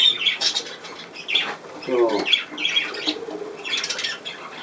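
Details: Budgerigar kept as a pet, filmed at play indoors on 27 August 2024: rapid raspy chatter and squawks in quick bursts, with a brief human voice partway through.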